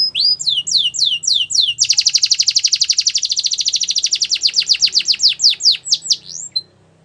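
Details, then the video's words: Russian canary in training song, opening with looping whistled phrases before a long, loud, rapid rolling trill that gradually slows into separate descending notes. "Russian Canary Sining | Canary Training Song"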